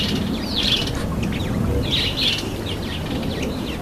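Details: Red-headed finch bathing; sharp, high, slightly downslurred chirps come in short bursts, with faint splashing underneath.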